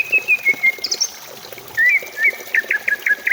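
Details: Greater green leafbird song played to stimulate singing: a drawn-out level whistle, brief high notes, then a run of rapid repeated short slurred chirps.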